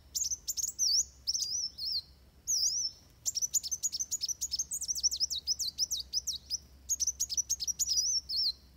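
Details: A Van Hasselt's sunbird delivers fighting song, a recording meant to tutor trained birds: dense, nearly continuous high chips and slurred whistles, with short gaps, growing busier in the second half.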